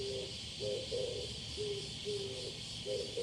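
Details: Male Oriental turtle dove giving its low cooing call, recorded on 21 July 2022; hoarse, hooting notes around the same low pitch, grouped in short phrases, over a steady high hiss of insects.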